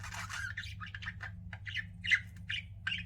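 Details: Budgies kept as pets give a dense run of raspy chirps and squawks, nearly continuous, with a faint background hum.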